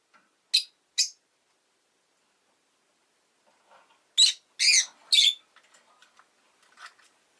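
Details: Shrill rasping chirps from a pet rosy-faced lovebird, two quick notes, a pause, then a rapid run of three harsh calls trailing into faint soft twitters.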